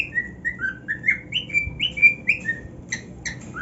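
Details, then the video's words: Cockatiel singing cheerfully on his new nest: a quick chain of clear whistles climbing and dipping in pitch, followed by a couple of sharp scratchy chirps at the end. "Cockatiel Singing on his New NEST"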